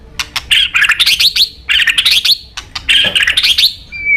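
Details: White-rumped shama of top quality, used as a tutor recording for training future champion birds: rapid bursts of sharp chirps and fluttering high whistled phrases in three repeated runs, ending on a thin rising whistle.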